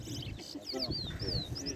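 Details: Large-billed seed finch (towa towa) singing in a bird-singing competition at Ana Regina Park, Essequibo, Guyana, 2021: clear whistled notes sliding down then up, several in quick succession, over a man counting aloud and crowd murmur.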